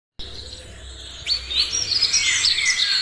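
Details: Morning birdsong: after a brief silence, a faint chorus swells at about one second into dense, high twittering and chirping from several birds.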